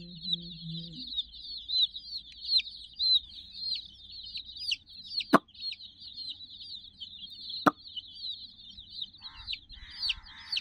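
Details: High, rapid peeping fills the scene as roughly sixty domestic chicks crowd a toy puppy teddy, with two sharp clicks, a low hum at the start, and faint voices near the end.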